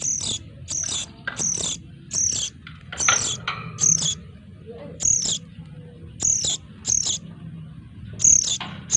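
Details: Sooty-headed bulbul chicks used as a lure give harsh, high, raspy chick calls, repeated every half second to a second in loud, insistent bursts over a low background hum.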